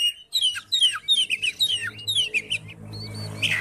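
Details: Oriental magpie-robin song used to provoke a silent bird of its kind: a rhythmic series of clear downslurred whistles repeated about every quarter second, then a louder harsh note, over a low background hum.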